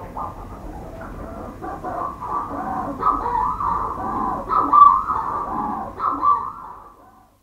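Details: Manx shearwater calling from a burrow under the warden's house on Skomer Island, South Wales: harsh, throaty, rhythmic crowing calls rising and falling in hoarse bursts about every second, close and muffled.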